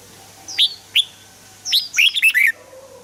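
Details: Red-whiskered bulbul song used to stir other birds into singing: two quick sharp notes, then a rapid tumbling series of bright, slurred whistles, with a soft low hum beneath.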